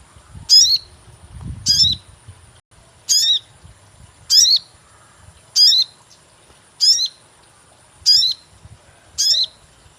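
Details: Sogon bird call used as a lure for catching: eight short, very high chirps, each a sharp falling 'cuit' with a descending tail, repeated about every 1.2 seconds; a faint low rumble near the start and a steady high hiss throughout.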